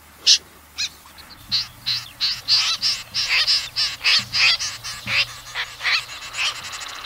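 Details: Common snipe calling, a series of short, harsh, rasping notes repeated roughly every half second, growing louder and more regular after the first second, over a faint low hum.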